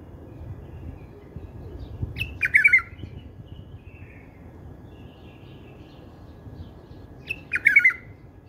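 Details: Bulbul delivering a song type loved by bulbul breeders: two short melodious warbled phrases about five seconds apart, each opening with a sharp note, with faint chirps in between and steady low background rumble.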